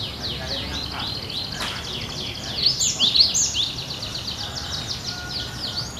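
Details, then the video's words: Cinereous tit singing vigorously and steadily, in a style likened to birds in the wild: crowded, high, down-slurred whistled notes repeated rapidly and overlapping, loudest midway, over a low background hiss. "Gelatik Batu Gacor Nagen Seperti Di Alam"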